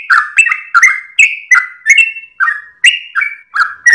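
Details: A sooty-headed bulbul sings a long ropel song at first light, used as tutor audio for cage birds: bouncy whistled notes alternating higher and lower pitch, repeated near three per second without pause.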